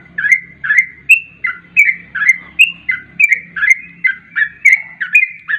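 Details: Sooty-headed bulbul lure song, 'garuda ropel' style: lively chain of bubbly whistled notes, some higher and clearer, repeated rapidly over a soft low droning background.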